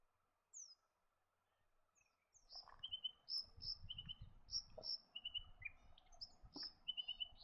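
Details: Slaty-backed thornbill from arid woodland in Australia, giving a busy run of short, high, thin chirps and downslurred tseep notes, several per second, with low rumbling background noise.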